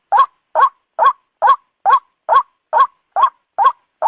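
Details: Nocturnal lure call of the white-breasted waterhen (ruak): ten harsh, throaty croaks delivered at a steady pace of about two per second, each a brief upward-bending note, in an otherwise silent recording.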